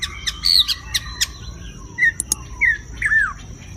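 White-rumped shama singing a varied run of clear whistles, rising and falling slurs, and sharp clicks, a new phrase every half second or so.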